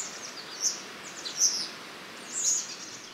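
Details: Common chiffchaff song, two syllables repeated monotonously as 'cilp calp', heard from mid-March when males reach breeding grounds; three high, thin notes spaced about a second apart over soft background hiss.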